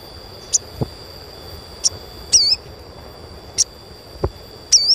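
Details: Asian pied starling calls intended to coax young starlings into song: separate sharp high chirps roughly every second, some with a short bent whistled flourish, plus two low knocks and a steady high whine.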